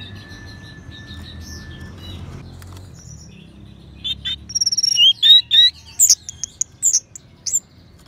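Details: A steady faint tone gives way to orange-headed thrush (anis merah) song, used to prompt other birds to sing: a rapid string of sharp whistled notes and high chirps delivered in short, energetic phrases.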